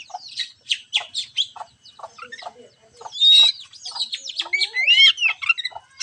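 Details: Lure song of the oriental magpie-robin (kacer) for encouraging a reluctant singer: quick series of sharp chirps followed by loud looping whistles and warbled rising and falling phrases, busy and varied throughout.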